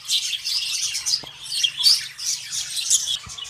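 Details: Caged breeding budgerigars with eggs and chicks from a first clutch. Busy, overlapping high twittering and squeaky chirps that swell and fade in waves, with a faint low hum under them.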